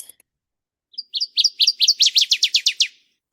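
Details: Northern Waterthrush song: a loud, ringing burst of about a dozen clear, down-slurred notes that quicken and tumble lower toward the end, over two seconds; loud enough to carry over rivers where it is often found.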